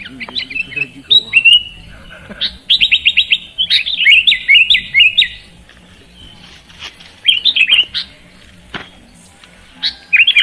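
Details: Sooty-headed bulbul song of varied whistled and chirped phrases: rapid trills and slurred notes come in bursts separated by quieter gaps, with a few scattered clicks between phrases.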